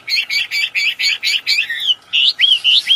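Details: Wambi singing vigorously in the wild: a quick run of about seven bright, chipping double notes, then a brief pause and clear whistled phrases that slur up and down, with no other sounds.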